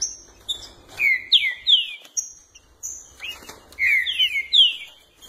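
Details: Green-winged saltator (trinca-ferro), captive birds early in the season, singing two bursts of loud, rich whistled notes slurring up and down, with a few thin high notes between phrases.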